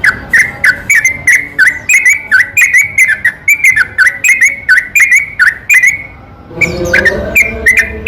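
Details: Yellow-vented bulbul at night singing a lure song to coax lazy bulbuls into singing: fast bubbly chattering for about six seconds, a brief pause, then a few more notes over a low background hum.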